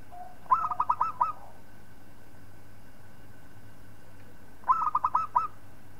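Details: Zebra dove of local stock singing to train other birds: two short rolling phrases of about five bubbling coos each, separated by roughly four seconds of quiet with a steady background hum.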